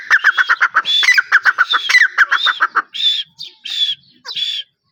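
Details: Grey francolin giving a fast run of loud, clipped, ringing notes mixed with higher slurred whistles, then slowing into three separate, longer, harsh calls spaced about a second apart before falling silent.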